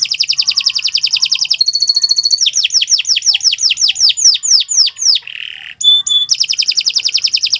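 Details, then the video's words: Canary singing a long training song: a dense rolling trill, a pure high whistle series, a rapid cascade of falling sweeps, a harsh rasp and a clear note, then the fast trill returns. "Kicau Burung Kenari 178 II LUAR BIASA GACOR PANJANG Cocok untuk Masteran"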